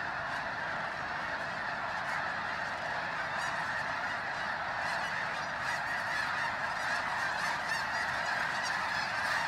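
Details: At Bosque del Apache, San Antonio, New Mexico, thousands of snow geese pour in before dawn to join others at their overnight rest, phone recording; an endless, churning din of high honks and yelps.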